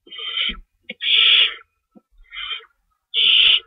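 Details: Owl at night, 11:50 PM on March 22, 2012, delivering a rabbit as prey: loud hoarse rasping screeches, about half a second each, four bursts with short gaps, plus faint soft clicks and low thumps.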